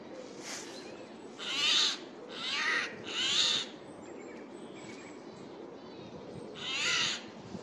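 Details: Eurasian jay calling loudly in a forest on 15 April 2024 while moving between trees: four harsh, rasping screeches, each about half a second, spaced irregularly with a long pause before the last, over a faint background hiss.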